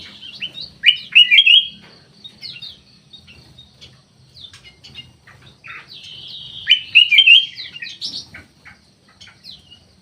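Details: Kutilang emas, or black-capped bulbul, in an aviary giving loud, tumbling warbled phrases about six seconds apart, with scattered thin, high chirps from other caged birds in between.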